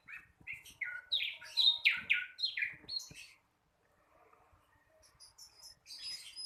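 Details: Young flycatcher still mastering its song gives a descending series of clear, slurred notes, each dropping in pitch, then goes quiet before faint thin high notes and a sustained pure whistle.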